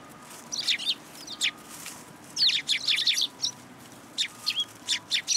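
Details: Sparrows gathering at a feeding stand at a Tenmangu shrine, 14 February 2023, calling in rapid groups of bright, high chirps separated by brief pauses, with a quiet repeating tone in the background.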